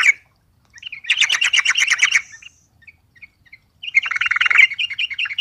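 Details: Yellow-vented bulbul singing excitedly in response to a rival: two bursts of rapid, bubbly chattering notes, about a second each, separated by a few scattered single chirps.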